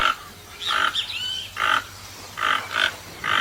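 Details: Toucan calling with rough, grating croaks in short bursts, with a brief whistled note from another bird early on.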